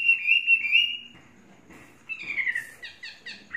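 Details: Chinese hwamei, a caged bird of three seasons, giving a long, steady whistle, then a pause, then a descending slurred note and a quick string of high, tremulous whistles.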